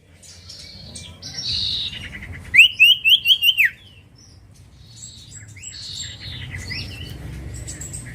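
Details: Lure recording of a common iora (cipoh or sirtu) singing: six clear, rapidly repeated upslurred whistles in about a second, with faint distant chirps and a low rumble around them.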